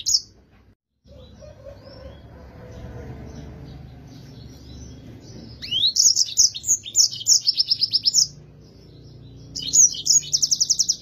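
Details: Yellow-fronted canary singing in full, clear voice, a recording meant for training other songbirds; after a quiet start with low background hum, bright rapid high twittering phrases burst out, repeated quickly for about three seconds, pause, then resume briefly.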